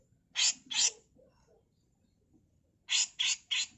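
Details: Female grey-cheeked bulbul giving a 'mbeset kasar' harsh master tutor song: two rasping, broadband bursts, a pause of nearly two seconds, then three more quick harsh bursts in a clean recording.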